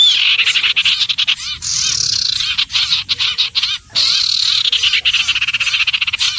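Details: Common iora: dense harsh chattering notes with a drawn-out whistle that slides downward, then quick rattling bursts that break off into gaps.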